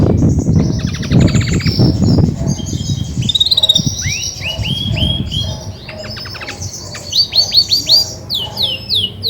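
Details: Grey-and-white female Belgian canary singing when ready to brood; low rumbling noise at first, then fast trills and repeated high falling whistles in quick series.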